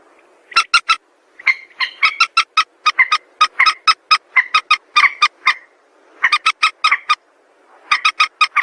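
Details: Calls of a white-breasted waterhen, used to lure birds for trapping: rapid series of short, sharp, nasal croaks repeated several times a second in bursts, with brief pauses between runs and no other sounds.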